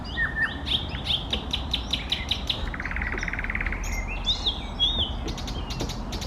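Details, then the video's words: Eastern nightingale song in varied bursts: high clipped notes and quick slurred whistles, a rapid buzzy trill near the middle, then sweeping whistles and a final run of sharp notes, over low steady hum. "соловей восточный поёт песни Nightingale singing"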